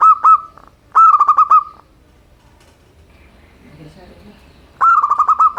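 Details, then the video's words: Local zebra dove (perkutut) singing a simple song, used to encourage reluctant birds to sing: three bursts of rapid, stuttering mid-pitched coos on one level tone, separated by a long quiet gap. "perkutut lokal suara sederhana, untuk terapi burung malas bunyi"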